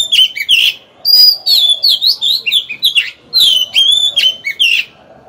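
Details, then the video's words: Oriental magpie-robin used as a decoy to provoke rivals to fight, singing a continuous stream of clear, sweet whistles, with warbling slides and short sharp notes packed closely together. "Chòe than mồi hót hay quá!"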